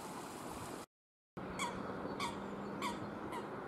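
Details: A Eurasian coot feeding on rotten water plants gives four short, sharp, squawky calls, about two a second, over steady rushing background noise and a faint low hum.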